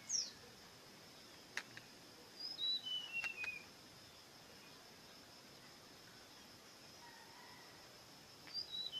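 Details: Bird giving one soft phrase of whistled notes stepping down the scale, followed near the end by the first notes of another phrase, with faint clicks and quiet background hiss.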